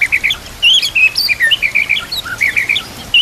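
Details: White-rumped shama (murai batu) on a training recording for other murai: rapid chattering and chipping notes at a fairly high pitch, given in quick uneven bursts, with a few short whistles mixed in.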